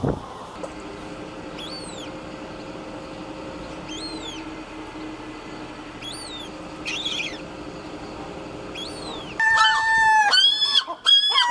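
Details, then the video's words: A Herring gull colony at breeding time. Quiet, thin, rising-and-falling whistles repeat every two seconds or so, then a burst of loud, strident, harmonic gull calls closes the recording. "Life In The Colony - The life of the Herring Gull"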